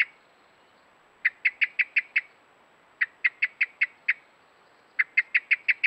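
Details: A blackbird carrying worms flies onto a trail camera and scolds. One stray note opens, followed by three quick series of six or seven sharp chinks spaced about two seconds apart.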